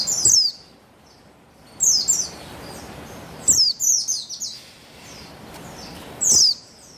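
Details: Short high twittering bursts from a female buxtoni Javan white-eye, recorded 3/8/21 to coax males into song; thin down-slurred notes grouped in phrases spaced one to two seconds apart.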